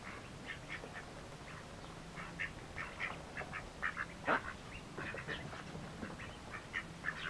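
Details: Brood of Mallard ducklings, feeding eagerly, peeping: many thin, high, short notes overlapping in a steady busy chatter, with a faint low hum behind.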